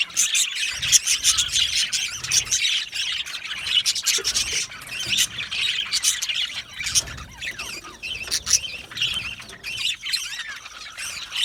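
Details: An aviary flock of Australian budgie parrots chirps and squawks nonstop. Many birds call at once in rapid, scratchy, overlapping bursts that rise and fall in loudness.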